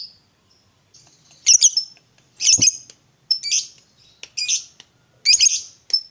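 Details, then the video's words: Fighter lovebird calling as a lure to set off a quiet lovebird: harsh, shrill squawking chirps given in bursts about once a second, with thin high whistles between them. "Pancingan Suara Lovebird Gacor Fighter"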